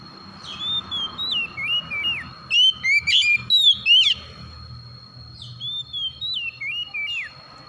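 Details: Oriental magpie-robin morning call: bright whistled phrases sliding between higher and lower notes, a burst of rapid sharp chirps in the middle, then more looping whistles; steady faint background tones.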